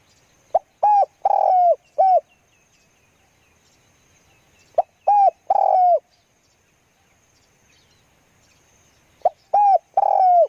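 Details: Spotted dove used as a decoy to lure wild doves, giving three cooing phrases about four seconds apart. Each is a soft short note, a rough drawn-out coo, then a clipped final coo, with faint chirps between phrases.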